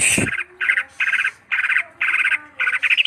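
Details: Greater green leafbird singing harsh, buzzy, rasping bursts, each about a third of a second long, repeated roughly every half second, opening with a sharp high squawk, over a quiet background.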